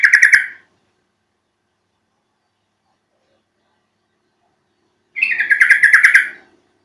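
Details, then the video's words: Recording of a yellow-vented bulbul (trucuk), used to lure other trucuk birds into singing: a short gurgling phrase, five seconds of silence, then a longer rollicking chatter of rapid warbled notes. "Panggilan burung trucuk"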